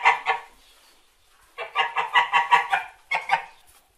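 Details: White domestic geese honking: a couple of nasal honks, a pause, then a fast series of harsh cackling calls in quick succession, ending with two more honks.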